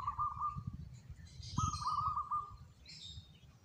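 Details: A local zebra dove gives two short rolling trills of quick pulsed coos at a steady middle pitch, separated by a brief pause, with faint higher bird chatter behind.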